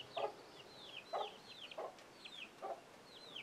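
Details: Chicken alerting young chicks; evenly spaced low clucks roughly every three quarters of a second, each backed by high, descending chick peeps.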